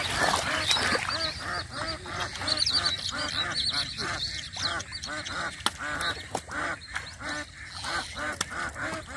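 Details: Ducks quacking beside muddy water in a rural village while a boy catches catfish by hand; dense, steady run of nasal, harmonic quacks, roughly three per second, with several birds overlapping throughout.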